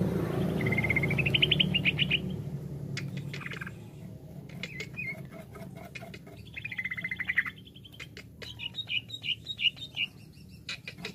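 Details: Greater green leafbird in jamtrok style: a short rising string of rapid notes, then scattered chips, a second falling-then-rising trill and high warbled phrases, over a low background rumble.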